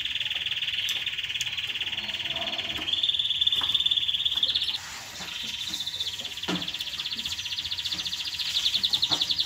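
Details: Canary song for stimulating mating and tutoring young: continuous rapid rolling trills that shift pitch several times, over a faint background hiss.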